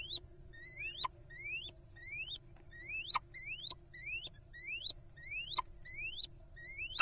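A pair of little owls trades thin, squeaky, upward-sliding notes, roughly two a second and often overlapping, over a faint low hum.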